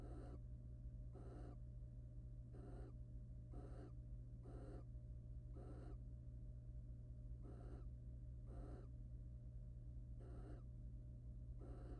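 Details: Courting wild barn owls in a nest box as the male preens and mates with the female: a long run of about thirteen harsh, breathy hisses in uneven pairs and singles, with a constant low hum beneath.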